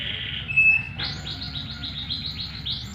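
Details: Canary song used as a lure to make other canaries answer: a held, thin whistled note, then a fast rolling trill of short, bright, repeated notes, ending on a higher whistle, with faint low background hum.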